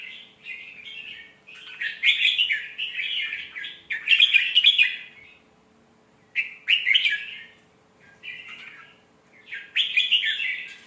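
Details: Melodious red-whiskered bulbul song meant for teaching young birds: lively bubbling, slurred whistles delivered in four loud bursts separated by short silences, with a low constant hum underneath.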